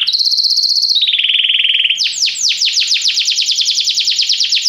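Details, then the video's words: Canary training song to make a canary sing: a high fast trill dropping to a lower roll, followed by loud, regularly repeated downward-sweeping notes. "Este canto canário inspira o apetite do seu canário para cantar imediatamente | treinamento canário"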